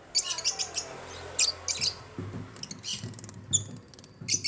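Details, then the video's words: African lovebirds chattering in an aviary: a rapid, busy stream of thin, high chirps and scratchy notes in uneven clusters, with a low rumbling background noise in the second half. "AFRICAN LOVEBIRDS CHIRPING SOUNDS"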